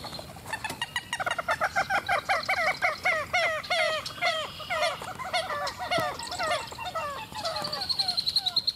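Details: {'caption': 'Several very vocal common gallinules in a long chattering bout: fast series of harsh, downslurred clucks tumbling on for seconds, growing louder then trailing into softer notes, ending with a higher thin whistle.'}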